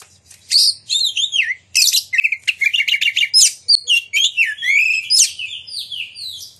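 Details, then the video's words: Oriental magpie-robin pouring out an energetic, varied song, used as a lure to provoke other magpie-robins to sing and display: quick whistled slurs, clicks and chirps in dense phrases. "Pancingan Kacer Gacor Ngeplong Nembak! Buat Kacer Lain Ikut Buka Ekor Keluar Isian"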